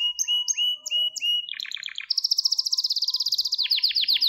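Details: Gloster canary song used to train young canaries and rouse males: sliding whistled notes repeated several times, then a fast stuttering rattle and a long even high trill of rapid pulses.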